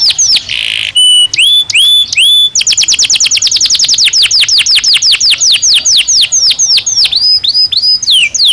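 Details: Belgian canary singing naturally: bright whistled notes and rapid downward-sweeping trills, then a long fast rolling tour of repeated slurred syllables, several per second, loud and clean with no other sounds.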